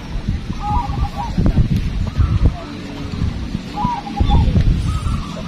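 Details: Local zebra doves at a training contest venue in Magelang, Indonesia, give loud, soft-toned staccato cooing phrases, a quick run of beaded notes every couple of seconds, over loud crowd murmur and rumble.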